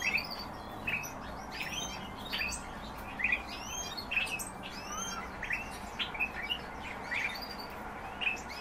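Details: Several European bee-eaters giving repeated purring, rolling calls roughly every second, overlapping chirps from multiple birds over steady low hum.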